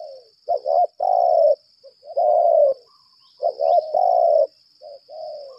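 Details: Decoy spotted dove, 'lambung kuk' type, calling at length in a fighting display: stuttered double notes leading into long, slightly descending coos, several phrases in a row over a steady thin whine.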